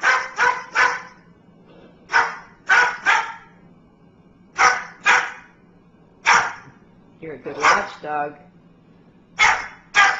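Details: A bird imitating a dog's bark while people laugh and praise it as a watchdog: harsh barking bursts, often in doubles, repeated every second or two, with a low hum underneath.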